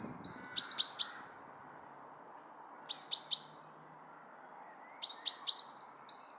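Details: Male common chaffinch call: sharp, metallic high notes in quick bursts of three, repeated about every two seconds, over a faint low rumble of background noise.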